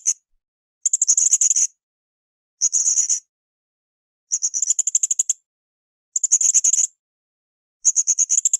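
Blue-crowned hanging parrot giving very high, shrill bursts of rapid ticking notes, each about a second long, repeated roughly every two seconds against silence.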